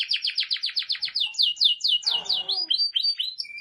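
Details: Canary song of rapid repeated downward-sweeping notes, about five per second, then quicker swoops and a clear high whistle at the close. A soft rustle is heard midway.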